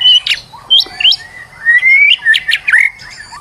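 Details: Stressed white-rumped shama used as a lure to spur another bird into singing, loud varied song of squawky high notes and a long rising whistled slur, with fast chattering phrases.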